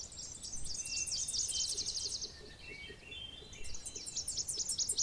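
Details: Tennessee warbler singing: high, rapid staccato chips in a fast run for about two seconds, a brief pause with a few lower notes, then another quick high series, over faint, regular low ticking.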